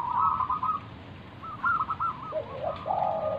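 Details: Local wild zebra dove song played to provoke other doves into singing: fluttering cooing trills, with a second, lower-pitched trilling voice overlapping near the end.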